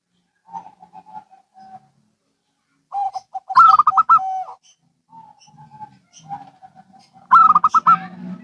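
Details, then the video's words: Zebra doves from local and Bangkok stock calling in turn, gentle trilled coos then two strong bursts of rapid chattering notes, with a low hum beneath. "Perkutut Lokal & Bangkok Bunyi Saling Bersahutan"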